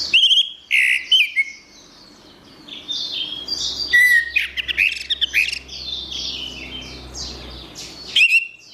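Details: Orange-headed thrush song, a long varied sequence of loud whistles, sharp clicks and twittering phrases at the opening and middle, then a quieter blurred warble and a final clear whistle.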